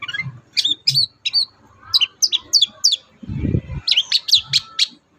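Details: Song of a long-tailed shrike played to get captive birds singing quickly; spaced high whistled chirps, a low rumbling thump midway, then a quick burst of sharp notes.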